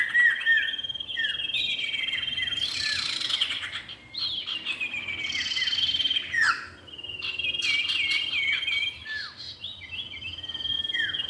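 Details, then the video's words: Common iora pair, male and female, on a lure recording: repeated thin whistles and downward-sweeping notes interrupted by two brief pauses, with harsh chattering bursts between phrases. "pikat burung cipow jantan dan betina"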